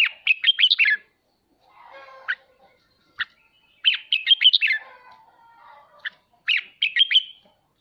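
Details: Red-whiskered bulbul singing in the 'ché' style, used to spur pet birds to practise singing: bright warbled bursts of quick rising and falling notes, three phrases separated by pauses, with single clipped notes and a faint softer chatter between them.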